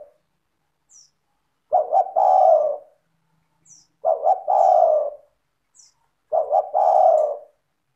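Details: Vigorous spotted dove (tekukur) singing clearly to prompt other doves to join in: three evenly spaced low phrases about two seconds apart, each two clipped notes then a long mellow descending coo, a faint soft note before each.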